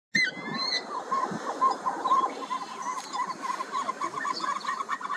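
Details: Himalayan snowcocks at Zingral, Ladakh, India, in July 2022, give a fast, continuous chatter of short mid-pitched clucking notes, opening with a brief falling whistle; several birds seem to call at once.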